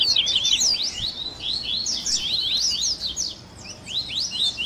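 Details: Double-collared seedeater (coleiro) song in the 'baderna' style, a mix of tui tui, grego, viviti, flauteado and 3ª nota variations, used for training captive birds: dense, overlapping high, quick swept whistles and chirps, steady, with no other clear sounds.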